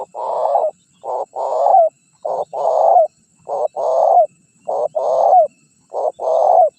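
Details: Spotted dove decoy call for luring wild birds and drawing rivals in: low two-part coos, a short note then a longer rolling one ending in a downturn, repeated steadily about every second, with a clean, quiet background.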